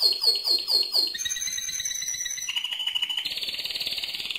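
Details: Strong singing by a mosaic canary: pulsed falling notes repeated quickly, gliding into long whistled tones, then a rapid, buzzy high trill that keeps going.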